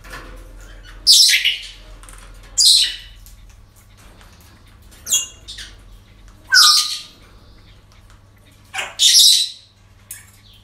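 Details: Parrots calling at a breeding centre: loud raspy squawks repeated roughly every one to two seconds, each a short harsh burst, over faint indoor background hum.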